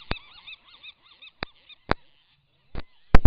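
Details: Downy Rhinoceros auklet chick outside its burrow on Año Nuevo Island, flapping its wings before fledging. A string of soft, wavering, harmonic notes rising and falling in quick succession, broken by several sharp loud clicks or thumps.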